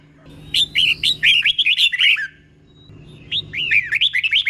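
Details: Slow, clear doubled song of a red-whiskered bulbul, played for caged birds to learn: two runs of quick, chattering whistled notes, the first longer, with a short pause between.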